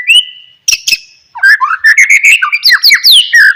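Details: White-rumped shama song used as a lure to make other shamas sing; a long pure whistle, two sharp clicks, then a lively rush of warbled, slurred whistles rising and falling.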